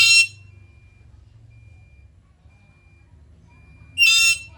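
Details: Black-capped lory, said to be vocal, with the tail of one shrill screech and a full buzzy screech about four seconds later, over a soft low hum.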